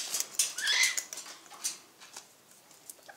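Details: Sulphur-crested cockatoo, refusing to share its seed, gives one harsh, rasping squawk about half a second long, followed by soft clicks and scratchy pattering.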